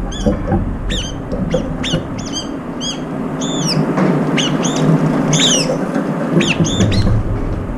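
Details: Brown-eared bulbuls competing for food in a group, one of them with an injured left foot; a busy stream of sharp rising and hooked chirps, several birds overlapping, with low rumbling underneath.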